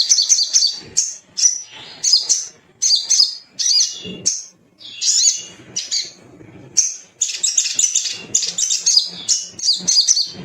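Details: Little spiderhunter male calling out rivals, used as a singing lure: excited series of sharp, high chirps and trills in quick bursts separated by short gaps, with a soft low background hum.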